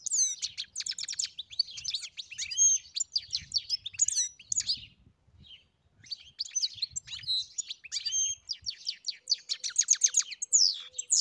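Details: A European goldfinch sings long, bubbling phrases of high tinkling twitters and trills, broken by a short pause, with faint low background rumble.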